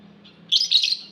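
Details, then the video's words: Lovebird giving one brief, shrill, harsh chirp burst high in pitch, split into two or three quick buzzy pulses, over a faint low hum in a quiet room. "Lovebird Singing Call & Chirping Sounds"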